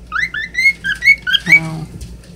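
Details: Pet cockatiel singing: a short run of clear whistled notes, each sliding upward, then a brief harsher note near the end.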